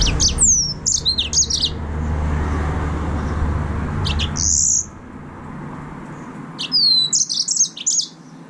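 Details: Yellow-fronted canary (green singing finch) song: sweeping downslurred whistles and quick chirps at the start, a buzzy sustained note midway, then another burst of descending whistles and chirps.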